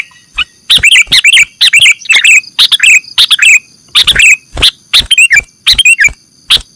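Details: Lure recording of sooty-headed bulbul used to catch birds: dense run of short, clipped chirps and warbled two-note phrases, nearly continuous, over a steady thin electronic tone.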